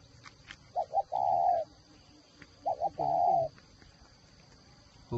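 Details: Decoy spotted dove from a dove farm in Ba Vì, Hanoi, Vietnam, a whistle-voiced bird that calls in trees and on the ground; two brisk short coos lead into a long mellow coo, the phrase given twice about two seconds apart.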